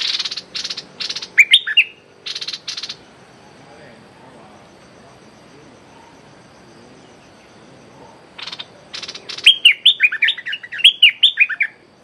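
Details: Streak-eared bulbul used as a decoy, calling at a captive young female: a series of rasping buzzy bursts with a few slurred chirps, a long quiet gap, then more harsh bursts and a lively string of whistled notes.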